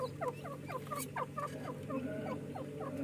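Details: Pair of francolin chicks playing and fighting, calling nonstop with quick, thin, down-slurred peeps, some louder and clearer, over a constant low mechanical hum.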